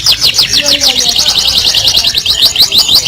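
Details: Canary in full loud song, the type Indonesian keepers call gacor with harsh bursts: rapid repeated high notes, about three per second, rising and falling in quick sweeps, with a few lower whistles beneath.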